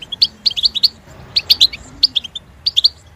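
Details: European goldfinch song in quick clusters of bright, high tinkling notes, each burst of four or five chirps separated by short gaps.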